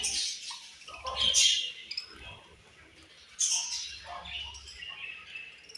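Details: Pet budgies chattering in loud bursts of scratchy, high warbling and squeaky chirps, quieter in the middle, then rising again into busy twittering.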